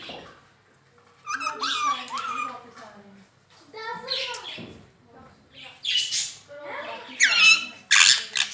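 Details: Pet rose-ringed parakeet imitating human speech, saying "Mian Mitthu Chori Khani Ha": short, harmonic, voice-like syllables with rising and falling pitch, ending in loud, shrill squawks.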